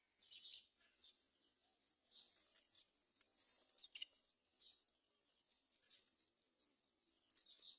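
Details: Great myna at its nest, with the mother not saving a chick about to fall: faint, high, scratchy chirps in short irregular bursts every second or two, with soft background rustling.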